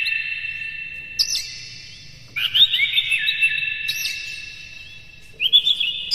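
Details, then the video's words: Energetic Oriental magpie-robin song meant to rouse other birds of its kind: long sustained high whistles broken by bursts of quick chattering, trilled phrases and brief rising notes. "KACER NGEPLAY GACOR NEMBAK-NEMBAK ISIAN, PANCINGAN AMPUH NAIKAN EMOSI KACER"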